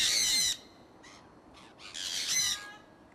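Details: Two loud, rasping screeches from conures of a pet flock flying outdoors in Iowa in early spring 2003, with fainter squawks between them.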